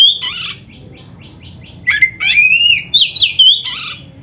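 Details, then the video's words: Oriental magpie-robin with a rough, rasping note, a quiet series of short ticks, then a tangle of twisting whistles and squawks in a dense burst. "Kacer gacor full isian RAPET"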